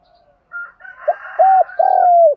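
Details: Spotted dove calling to provoke other doves; a higher buzzy note and rough chatter lead into loud low coos, a short hoot and a long drawn falling coo.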